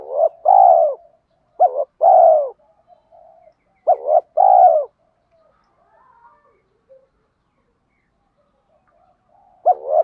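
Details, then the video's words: Spotted dove calls for stimulating training birds, with male and female doves said to be included. Deep, mellow two-part coo phrases are repeated three times about every two seconds, then a pause and a fresh phrase begins. "Tiếng chim cu gáy THÚC GÙ Gáy Gọi"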